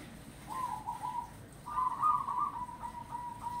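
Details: Local wild zebra dove from Grobogan giving two bursts of rapid, rolling cooing, the second longer and louder, with staccato notes fading into evenly spaced soft coos over a low background hum.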